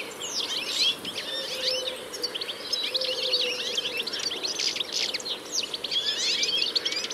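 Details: European goldfinches, a wild flock of about sixty, in reeds at a field edge among willows, old fruit trees and thistles. Dense, continuous twittering chorus of bright, tinkling, rapidly overlapping notes. Faint low hum underneath.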